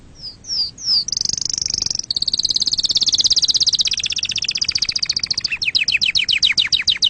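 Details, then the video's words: Canary song: three downslurred whistles, then a long, fast, shimmering trill that gradually slows into separate rising notes. "تغريد عصافير كناري"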